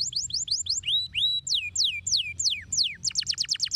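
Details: Canary song meant to stimulate silent birds into singing: short fast trill, slow, loud swooping whistles that glide downward, then a rapid, bright trill again.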